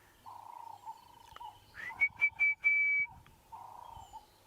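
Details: An Orange-breasted Bushshrike gives clear, high whistles, three short notes then a long held note, over a low drone, on an early-morning drive at Djuma, Sabi Sand, South Africa, on 12 August 2016, unusually early since it normally calls in the day's heat.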